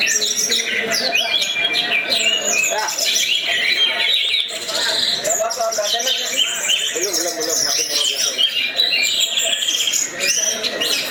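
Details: Orange-headed thrush (anis merah) in nonstop champion 'teler' singing: rich, tumbling high phrases of whistles, trills and chips follow each other continuously, with some busy overlapping notes and human voices faintly underneath.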